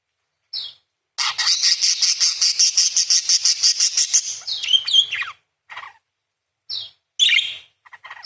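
A parakeet gives a long, rapid, buzzy chattering trill, then short sharp chirps and squeaky notes.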